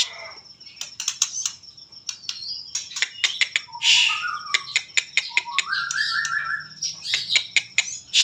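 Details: White-rumped shama in a trotol-style song, dense bursts of sharp ticking notes interwoven with sweet whistles and a rolling trill near the end, delivered without pause.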